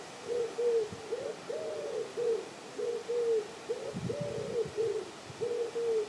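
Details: Canada geese on the South Pond in Midhurst, West Sussex, England, giving a run of nasal honks, short and falling, some rising then dropping, repeated roughly every half second.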